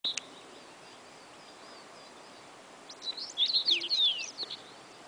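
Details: Common rosefinch (Carpodacus erythrinus) song at Gniben, 26 May 2015: after a single high note, one brief burst of quick, clear, slurred whistles lasting about a second and a half. Soft background hiss.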